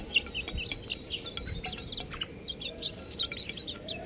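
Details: A brood of little chickens chirps nonstop, their bright, thin, falling peeps tumbling over one another in quick succession, with faint low rustling beneath.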